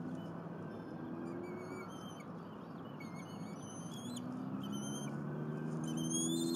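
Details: Bald eagle chick in a Berry College nest, Rome, Georgia, 10 April 2022, being fed squirrel by its mother. Nest-cam sound. Sharp high whistles in quick runs over a low droning hum that grows louder toward the end.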